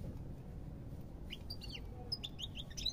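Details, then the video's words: Quiet opening gives way to European goldfinch chirps in the second half: quick, high, slurred notes and a few thin whistles over soft low hum. "تغريد طائر الحسون"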